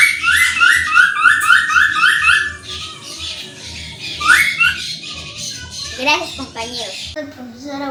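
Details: Cockatoo song played back indoors, opening with a rapid series of rising chirps, then a second burst of chirps, followed by rougher squawks and lower warbling notes toward the end, with a low hum throughout.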